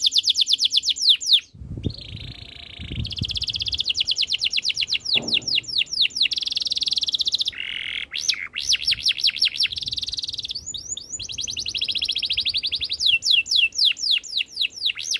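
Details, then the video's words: Canary singing a long, high chain of rapid tours: fast repeated downslurred notes, a lower buzzy rattle, then quick trills, switching phrase every second or two, with a few faint low thumps early on. "KICAUAN BURUNG KENARI BIKIN KENARI GACOR DOR"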